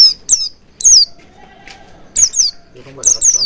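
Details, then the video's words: Oriental white-eye song used as a lure: five shrill, downslurred whistles in short groups, separated by a pause filled with a faint lower rustle. "Pancingan Burung Pleci Agar Cepat Ngalas & Buka Paruh Maksimal"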